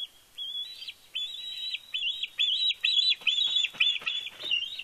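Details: Fledgling bald eagle at the Big Bear nest, 31 May 2022, squeeing with excitement as its father arrives with a fish. Rapid series of high whistled squeals, each dipping at the end, repeated about twice a second with clicky chatter.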